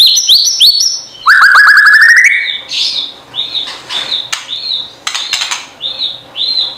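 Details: Lovebird, a small parrot with colorful feathers, giving shrill buzzy chirps: quick rising harmonic notes in a rapid run, then a series of shorter squeaky calls at a steady pace, with no other clear sounds.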